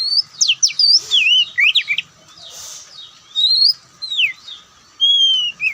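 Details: Relaxed song of an Oriental magpie-robin, white-breasted Kacer Poci form: clear, loud whistled notes sliding downward and upward, broken by a pause, then drawn-out high whistles and a final descending slur.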